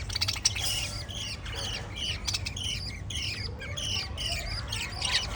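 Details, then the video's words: Lovebird flock chatter: sharp, high, buzzy chirps repeated in fast clusters, continuous squawking throughout with faint low hum beneath. "Love Birds Chirping sound"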